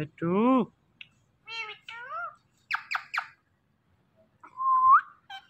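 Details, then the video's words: Talking pet Indian ringneck parakeet producing clipped, speech-like syllables: a wavering nasal phrase, then shorter bursts and two sharp clicks, ending in a long rising whistled note, in a quiet room. "The Best Talking Ringneck Talking Parrot"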